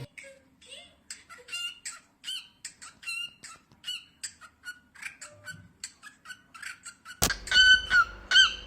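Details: Male pet cockatiel singing indoors while bonding with its owner: a quick run of short harmonic chirps and warbles, about two or three per second, ending in louder clear whistled notes after a sharp knock, with soft voices behind.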